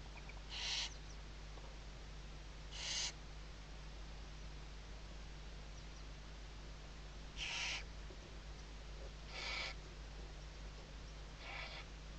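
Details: Western barn owl at a webcam in Riet Vell Nature Reserve, Ebro Delta, Tarragona, Spain, during the 2023 season, in the morning. Five short, rasping hisses at uneven intervals of two to five seconds over low steady hum.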